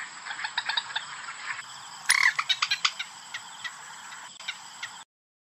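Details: White-breasted waterhen lure call used for hunting: bursts of harsh, harmonic calls repeated in quick series, loudest near the middle, with a steady high electronic whine throughout.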